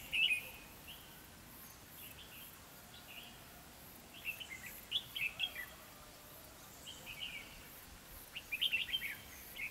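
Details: Red-whiskered bulbul decoy used to lure wild bulbuls into a trap, recorded 3 November 2016; bright chirpy whistled phrases come in three short bursts, near the start, around five seconds and near the end, over a steady background hiss.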